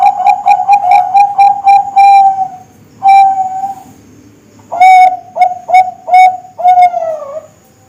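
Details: Young Bangkok-type zebra dove song, from birds kept for breeding and contests: a fast run of about seven clipped whistled coos ending in a drawn-out note, then another long note and a second quick series that ends in a falling note.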